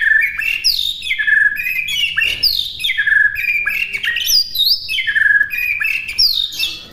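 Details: White-rumped shama song used as a master recording for other birds to copy: rapid, varied whistled phrases sweeping down and up, dense overlapping notes with brief sharp chips, continuous throughout.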